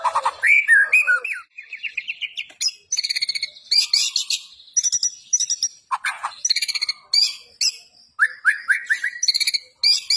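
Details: Energetic gacor song of a white-rumped shama in fighting style: continuous varied phrases of harsh high buzzes, sharp chirps and whistled notes, with a quick run of repeated rising chips near the end.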